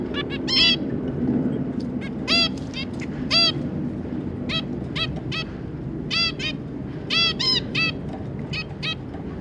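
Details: Zebra finches, two adults with their three juveniles, recorded 25 July 2022: nasal, trumpet-like honking calls with stacked overtones, given singly or in short pairs at irregular intervals over a steady low background hum.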